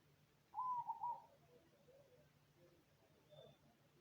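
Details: A cemani zebra dove coos one brief rolling, trilled phrase, then the sound falls away to quiet background hum with faint distant chirps.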